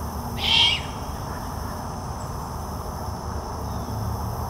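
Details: A full-grown young great horned owl, still calling for its parents to feed it, at Fenner Nature Center, Lansing, Michigan, in 2021, gives one harsh, hissing screech lasting about half a second, then goes quiet over a low background rumble.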